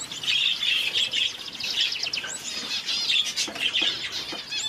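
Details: Parrot finches, red-faced and blue-faced, uttering rapid high chirps in a string, then looser thin twitters with occasional fluttering sounds.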